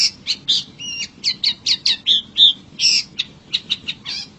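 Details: Long-tailed shrike heard in nature, singing busily: a fast stream of varied chirps, short whistled slurs and clipped twittering notes in irregular bursts, with no other clear sounds.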